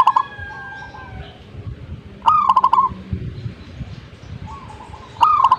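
A zebra dove gives short bursts of soft, rapid, stuttering coos about every three seconds, over a low background rumble.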